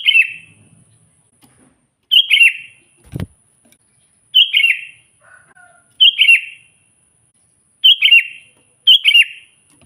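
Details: Energetic sooty-headed bulbul calling and provoking wild rivals, natural voice: six short liquid warbled phrases at irregular intervals of one to two seconds, a sharp knock near the middle and a faint soft lower whistle.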